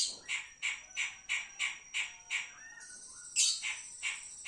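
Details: Pied triller singing as a kept bird: seven evenly spaced buzzy chirps roughly every third of a second, then a brief high rasping burst near the end, over a steady high-pitched whine.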